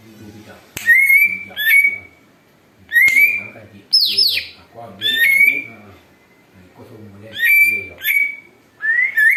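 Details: Greater green leafbird, noisy and mimicking an eagle, as used to lure birds: loud ringing whistles, each a quick upslur that levels off, roughly every second or two, broken by one harsh, downward-sweeping rasp; faint low murmur beneath.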